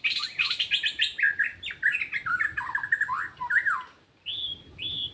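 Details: Forest white-rumped shama recorded during bird trapping, delivering a fast jumble of slurred whistles and chattery notes for four seconds, then after a brief gap two clear, high, sustained whistles.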